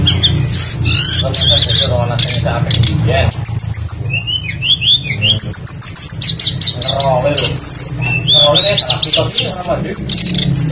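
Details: A tledekan (blue flycatcher) sings a full, varied lure song: fast chattering phrases, sharp high whistles and a rising run of notes near the end, with a low steady hum.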